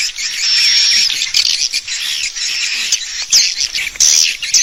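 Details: Lure call for attracting swiftlets to roost in a bird house: continuous high buzzy chatter with a sustained thin whistle early on, then sharp chirps and short rattling bursts.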